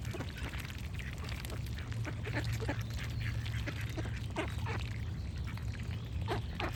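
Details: Several brief, raspy duck quacks spaced irregularly over a constant low rumble, with faint bird song mixed in.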